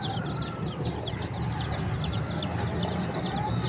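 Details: Chicks chirping in a bird market in Pakistan: a flock of high, curved peeps repeating rapidly and steadily over dense, low market noise.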